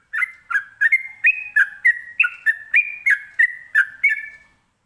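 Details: Ropelan song of a sooty-headed bulbul, called trucukan locally, meant to make other birds respond: a continuous series of sharp whistled notes, each dipping and rising, about three per second.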